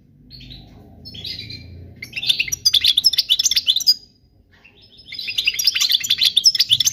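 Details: European goldfinch singing a flawless song meant for young birds to learn: soft notes, then bright twittering bursts, a pause near four seconds, and more twittering, over a low background rumble.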